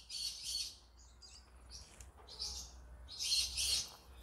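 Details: Yellow-sided green-cheeked conure chattering softly in repeated buzzy bursts of high, raspy notes against a low background hum.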